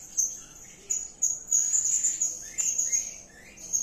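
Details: Blue-crowned hanging parrot (serindit) calling in lively 'gacor' style: thin, very high sibilant chirps in short bursts, broken by brief pauses, with a few fainter lower twittering notes between them.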